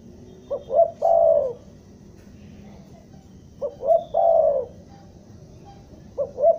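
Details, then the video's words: Bandung lure tekukur, a spotted dove, cooing in a gagap stutter: a stuttered pair of short notes, then a long, rounded coo sloping down. The pattern repeats three times, about three seconds apart. "Suara pikat mp3 burung tekukur"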